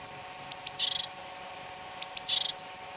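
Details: Great tit (Parus major) recorded in León, Spain, between March and April 2019: two high phrases, each two sharp thin notes followed by a short buzzy rattling burst, about one and a half seconds apart.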